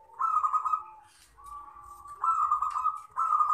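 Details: Local wild-type zebra dove giving its long 'crystal' song, used as a lure and tutor recording: rolling, trilled coos, each about a second long, repeated in four close phrases with a steady mid pitch.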